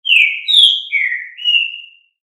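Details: Green-winged saltator singing the fibra style: four clear, loud whistled notes over two seconds, a falling opener, a brighter high note, a lower slurred note and a long thin closing whistle, with no other sounds.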